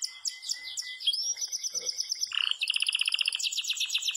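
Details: Yellow Belgian canary singing hard in the campainha style. Varied chirps and a thin steady whistle give way to an upward slide, then a very fast rolling trill repeats steadily to the end.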